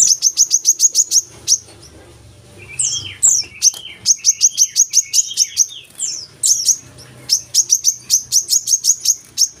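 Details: Brown-throated sunbird used as a lure to get captive birds singing: rapid trains of thin, high chirps, about eight per second, broken by a lower twittering, warbled passage before the fast chirping resumes.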